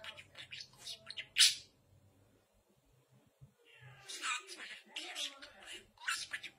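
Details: Pet parrot indoors imitating praying: bursts of raspy, high-pitched speech-like syllables in quick runs, a loud sharp squawk near the start, a short pause, then more chattering phrases.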